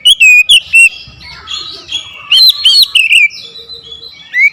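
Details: Loud, forceful song from an oriental magpie-robin stirred up to challenge an opponent, unloading its repertoire. Rapid ringing whistled notes open the passage, then softer warbling and a second run of sharp swept notes.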